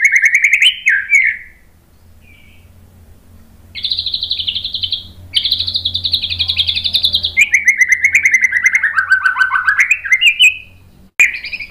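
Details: White-rumped shama lure song for training and provoking a reply: slurred whistles, a long pause, then extended harsh buzzy trills sliding down into a lower rapid warble.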